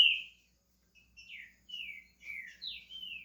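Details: Green-winged saltator, a pet in Brazil, beginning to sing with a run of moderately loud, downslurred whistles after a brief opening note.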